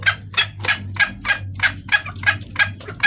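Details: Female red junglefowl calling out to a male, a lure call for males; even series of scratchy clucks, roughly three a second, over a noticeable low drone.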